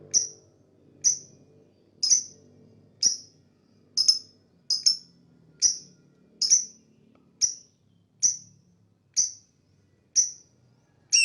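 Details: Chirping lovebird, sound said to attract other birds: a long series of short, piercing high ticks roughly once a second, some doubled, over a quiet background.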